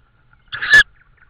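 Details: Tawny owl in Estonia, recorded 16 May 2013 in the evening around prey deliveries: one loud, harsh, hoarse screech of about a third of a second that grows stronger toward its end, against a quiet background.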